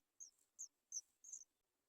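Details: Nestling Sooty Chats, three young waiting for food, produce four brief piercing high squeaks, the last one drawn out and doubled, spaced about a third of a second apart.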